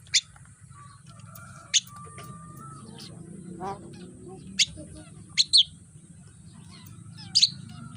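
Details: Javan myna (jalak kebo) in the morning, recorded as a tutor song for training birds: scattered sharp, loud clicking notes at irregular intervals, some doubled, with faint thin whistled tones between and a steady low hum underneath.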